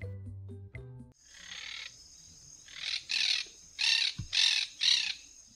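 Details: Monk Parakeet in a city giving harsh, grating squawks in quick bursts, about two per second.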